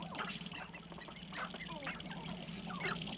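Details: Several sharp-tailed grouse dancing on a lek near Baudette, Minnesota, overlap in a busy chorus of clucks, cackles and squeaky whines, with a steady low cooing hum beneath.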